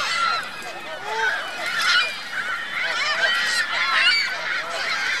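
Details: Goose family with goslings at Virginia Lake, Reno, giving a busy mix of honks and squeaky, up-and-down calls that overlap constantly, swelling in loudness around two and four seconds.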